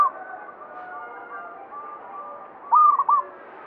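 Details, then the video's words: Zebra dove of local stock giving banyumili-style song, said by local belief to draw prosperity; after soft murmuring background, one bright phrase of three quick high coos with a short gap before the last. "Perkutut lokal banyumili suara gacor"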